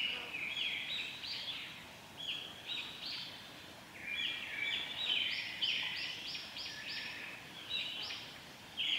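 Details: Japanese paradise flycatcher pair swapping duties while nesting, Okuno forest road, Lake Miyagase, 26 June 2016: harsh, buzzy, rasping notes in quick runs, with short pauses between bursts, over a steady hiss of forest background.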